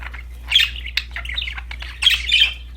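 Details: Cheerful pet budgerigars with a new toy, giving continuous warbling chatter of scratchy, squawky chirps, louder bursts at the start and near the end.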